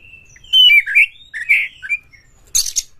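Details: Oriental magpie-robin lure song used to make other birds sing: a clear high whistle dropping into slurred, husky warbled notes, followed by a short harsh rasping burst.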